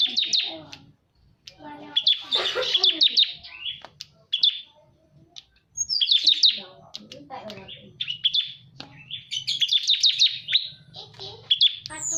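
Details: Bar-winged prinia lure sound: bursts of rapid, high, sharp chip notes in quick trills, repeated in clusters with brief pauses, alongside scattered lower chirps and a faint low hum.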